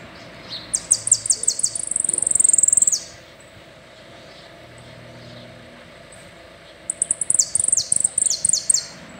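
A saffron finch sings two high, bright phrases. Each begins with quick sharp chips that speed into a ringing trill, with a quiet pause between phrases.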